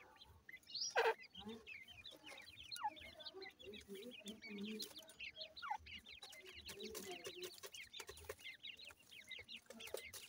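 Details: Feeding grey francolin chicks fill the air with a dense, unbroken chatter of tiny high peeps, many birds calling at once, broken by soft clucking notes and occasional loud tapping sounds.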